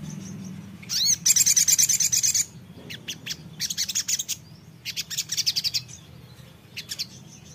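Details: Songbird responding right after a recording is briefly played: high, rapid rattling bursts of sharp repeated notes, the first loudest and about a second and a half long, then shorter bursts separated by pauses, over a low steady hum.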